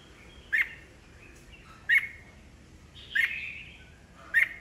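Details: Kept red-whiskered bulbul, an old wild-caught bird, used to spur fresh-caught birds into competitive singing. Short, sharp chirps come about every 1.3 seconds, some trailing into a softer slurred tone, over a faint background hiss.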